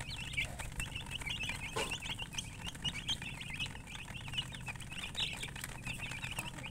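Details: Baby chickens chirping in a group: dense, continuous high peeping notes, many overlapping short chirps with no pause, over a low steady background hum and occasional soft knocks.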